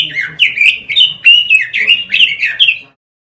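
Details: Lure recording for training caged birds, with a robin pouring out a fast, uneven string of bright whistled notes, about four per second, ending abruptly in silence.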